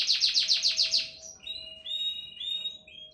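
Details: Canary giving a rapid series of loud repeated notes, roughly seven in a second, followed by softer drawn-out whistles at a steady pitch.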